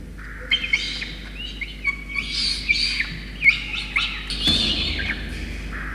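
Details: A peregrine falcon chick, Yurruga, at Orange, NSW, Australia, on 5 November 2021, gives harsh, wheezy, high-pitched begging cries in a near-continuous run, broken by sharper chirped notes, as its rain-soaked parents bring a soaked starling.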